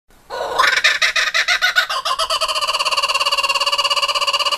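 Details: Laughing kookaburra calling: a burst of rapid, harsh rising notes that settles into a fast, steady, rolling trill of evenly pulsed harmonic notes, about three per second.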